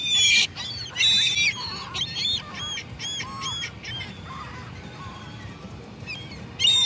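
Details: Gulls calling, loud harmonic squealing cries in quick bursts, then a run of shorter arched yelps about once a second fading into softer calls, ending with another loud cry; low steady background rumble.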